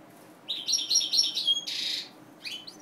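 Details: Captive-bred mutation European goldfinch singing a quick, tinkling run of bright twittering notes, then a buzzy rasp and a few more high chirps.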